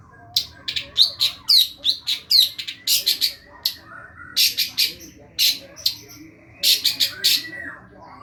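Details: Long-tailed shrike in a masteran (tutor) recording: loud harsh chattering notes in quick clusters with short pauses, some raspy and squeaky, over a low constant hum.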